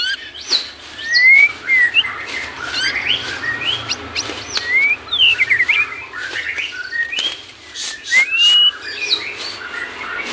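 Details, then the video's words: White-rumped shama, used to train caged birds, singing a stream of varied whistles, short upslurred notes, and sharp chips, with clicks and a steady hiss behind. "macam macam suara murai batu"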